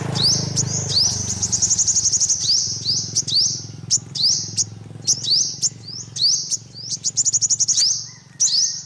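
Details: An olive-backed sunbird repeats bright, high rising chips and quick chattering runs at irregular intervals, with a low background hum throughout.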